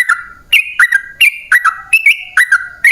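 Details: Lure recording of a sooty-headed bulbul in a long, rapid-fire song. Bright, whistled notes repeat about every third of a second, swinging between a higher level tone and a lower, dipping one.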